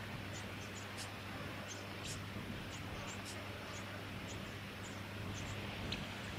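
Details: Brown-headed honeyeater, subspecies pallidiceps, recorded in Victoria, Australia, in December 2017: short, high, dry chips repeated irregularly through the clip over a steady low hum.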